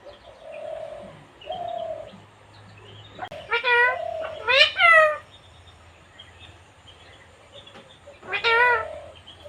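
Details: Female Indian pet parrot described as a talking bird: a few loud, harmonic, rasping squawks in short bursts. They are separated by quieter steady low hums and a faint background drone.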